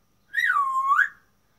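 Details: Male African grey parrot in its first attempt at talking gives one clear drawn-out whistle lasting under a second. It starts high, sags lower in the middle and swings back up at the end. The background is quiet.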